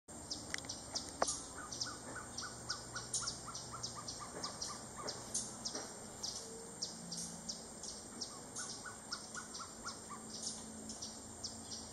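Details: Gartered trogon giving a quick series of about ten evenly spaced, mid-pitched hooting notes, the run repeated twice more later, over a constant high insect drone and rhythmic chirping insects.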